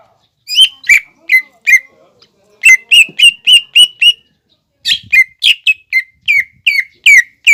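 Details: Used as a lure to get learning leafbirds singing, a greater green leafbird delivers two phrases of quick, evenly spaced whistled notes, some slurred downward, with a short break between phrases.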